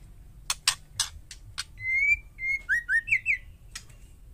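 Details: Female white-rumped shama calling to provoke males to reply: a burst of five harsh rasping chacks, then a long level whistle and a second whistle. Rapid slurred notes climb at the end.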